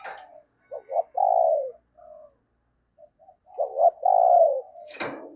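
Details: Tết-season thúc gù cooing from a decoy spotted dove luring wild birds: two phrases of quick double notes and a sustained hollow coo, softer coos between them, and a sharp click near the end.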